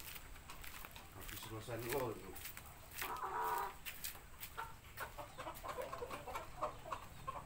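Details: A female black Japanese Shamo chicken that has just finished laying clucks and gives a few harsher squawking calls, broken and irregular, over steady background noise with a man talking in between.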